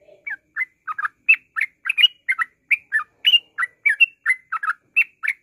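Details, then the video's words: Rapid 'ngropel' chatter of a yellow-vented bulbul, played as a lure to draw out singing: a steady run of short throaty chirps and slurred doublets, roughly three a second, with no other sounds. "TRUCUKAN NGROPEL Untuk pancingan bunyi"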